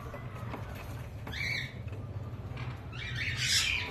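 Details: A cockatiel on a cockatiel farm gives a clear, arched whistled call, then a burst of harsh chattering over a steady low hum.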